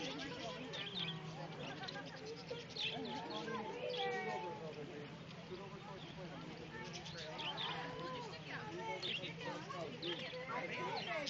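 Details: A flock of budgerigars in a zoo exhibit chattering in a dense stream of warbled, chirpy calls.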